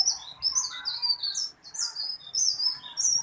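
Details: Loud, rolling tailorbird song from a small, eager singer: a nonstop stream of shrill, quick warbled notes that jump between pitches, with only brief breaks between phrases.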